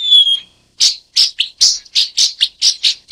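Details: Broad-tailed paradise whydah, Vidua obtusa, of Africa: one clear whistled note, then a steady series of short, sharp chirps repeated roughly every third of a second.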